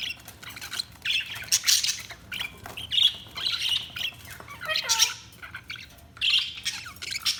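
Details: Budgies chattering with rapid, scratchy chirps and squawks in bursts of about a second, broken by brief pauses, with a few sliding whistled notes mixed in.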